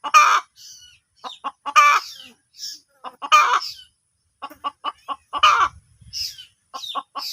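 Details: Hen calling with loud harsh squawks and strings of short clucks, plus some higher squeaky notes, uneven rhythm.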